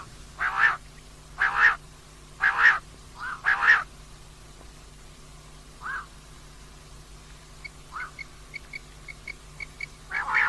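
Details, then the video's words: Common quail, female, giving harsh buzzy calls roughly once per second, then a pause with softer scattered notes and a series of faint high ticking sounds before calling resumes. "Rat ki liye Batair Ki Awaz , Batair Ki Awaz Rat Ki Awaz, common Quail Calling, Female Batair Ki Awaz"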